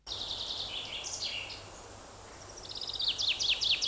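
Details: Tree pipit, a forest-edge bird with a fairly melodious song, which starts while perched in a tree, continues in flight and ends on another tree: high sweet notes, then a rapid series and steeply descending slurred notes over steady broadband background noise.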